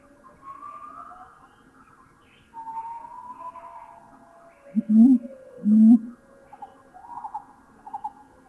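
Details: A Mountain Imperial Pigeon in a Thai national park gives two deep, booming whoomp notes close together, against rising and falling whooping howls of gibbons in the background.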